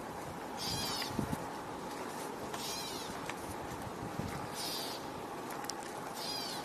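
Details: A Gray Catbird vocalizing behind the observer on a June 21, 2025 tour near water with red-winged blackbirds, giving slurred, cat-like mewing notes about every two seconds over a steady background hum and outdoor noise.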